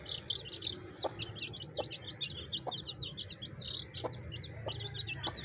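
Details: Baby chicks with a hen: a dense chorus of high, thin peeps runs throughout, with a few lower, short clucks every second or so beneath a steady low background hum.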